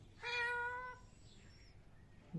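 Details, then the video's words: A parrot mimics a cat with one steady, nasal meow under a second long, after a person says meow to it, followed by quiet room noise and a faint thump at the end; finding: parrot. "parrot talking in cat voice"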